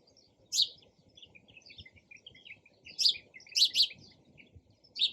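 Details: Sparrow chirping: short, sharp high chirps in scattered bursts, several clustered near the end, over a soft low rumble of background noise.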